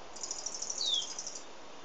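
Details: Pet white-collared seedeater (Sporophila torqueola), recorded from inside the house, sings a brief, high, buzzy twitter with one clear whistled note sliding downward, over a faint background hiss.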